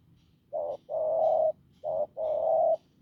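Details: Wild-caught spotted dove with a husky, strong coo. It gives two phrases, each a short low hoot followed by a longer rough sustained note, in a quiet setting.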